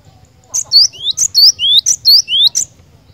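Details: Cinereous tit song as a brisk repeated motif: a piercing high chip and a lower upslurred whistle, the pair repeated four times in under three seconds, clear and close.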